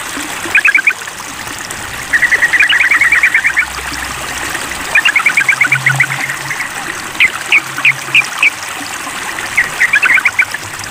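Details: Sooty-headed bulbul calling out to a rival: repeated runs of rapid, evenly spaced chattering notes in five bursts, backed by constant flowing-water hiss and a faint low hum.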